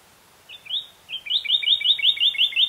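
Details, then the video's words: A Northern Cardinal sings two clear slurred whistles, then a rapid run of about eight bright, down-slurred notes, roughly six per second, with nothing else heard. "Cardinal Bird Sounds"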